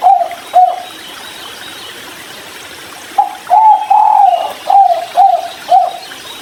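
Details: Three-note 'kuk 3' spotted dove drinking beside a river. It gives two short coos, pauses about two seconds, then gives a quick run of soft, hollow coos. Faint trickling water is in the background.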